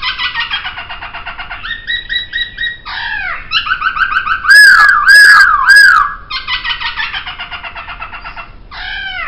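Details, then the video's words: Poksay, or laughingthrush, recorded as a singing model for songbirds: harsh, rapid chattering bursts broken by a loud, ringing whistled phrase in the middle, then more buzzy chatter and a final squeal. "Masteran Suara Poksay"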